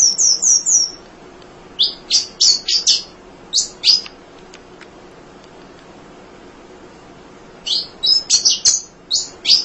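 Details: Munia chattering continuously as a model for training songbirds: rapid, high, sharp chirps in short clusters, a gap of several seconds, then another run of chirps.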